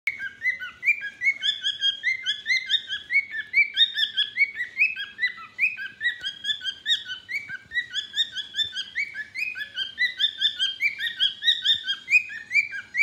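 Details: A pet cockatiel (Nymphicus hollandicus) babbles and sings a rapid, continuous run of bright chirps and short whistled notes.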